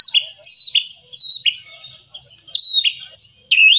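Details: Repeated shama phrases for stimulating lazy birds: each begins with a clear high whistle that drops into a lower, buzzy note, recurring roughly every seven-tenths of a second with short pauses between.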